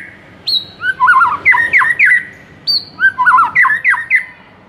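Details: White-rumped shama master song meant to excite a mute bird into singing: loud varied whistled phrases, each opening with a high clear note and then dropping into rapid looping warbles, sung in two similar bursts.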